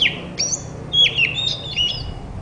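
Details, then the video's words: White-rumped shama song played to make a quiet shama respond: short bright whistled slurs, rising and falling, in a brief burst of four or five phrases over a low background hum. "Burung kacer terapi dari tidak bunyi langsung saut dengan suara ini dijamin gacor"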